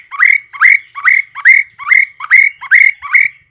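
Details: White-rumped shama song used to lure shamas into answering: eight evenly spaced, loud upslurred whistles with rough overtones, roughly two each second, against a silent background.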